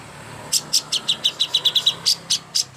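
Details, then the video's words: Greater green leafbird (cucak hijau) master song for contest birds: after a brief quiet start, high sharp chirps follow in a quick, slightly uneven sequence, bunching into a fast burst before spacing out again. "masteran ampuh untuk burung cucak hijau Lomba"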